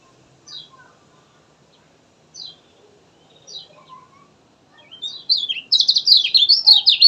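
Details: Kecial kuning giving three well-spaced thin, high falling notes about two seconds apart, then breaking into a loud, fast, jumbled twittering warble of very high chirps that carries on to the end.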